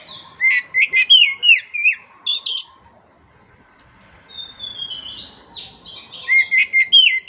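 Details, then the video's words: Oriental magpie-robin (kacer) in full song, used as a training recording to get stalled birds singing again: rapid strings of loud whistled downslurred notes with sharp high chips, a quiet pause midway, then more whistled phrases. "KACER MACET TOTAL pasti akan PULIH dan NYAUT dengan dimasteri kacer ini"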